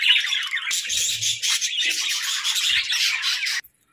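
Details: Happy pet budgies chattering: a busy stream of high, scratchy chirps and warbles that stops abruptly after three and a half seconds.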